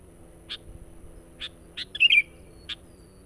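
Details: Sooty-headed bulbul sound used as a lure for wild birds, with scattered single sharp chirps and one brief liquid, twisting warble in the middle.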